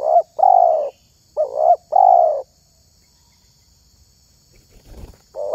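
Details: Spotted dove of the kind hobbyists select for voice, with a few deep mellow coos in short-long pairs, a quiet pause with faint rustling, then a fresh coo starting at the end.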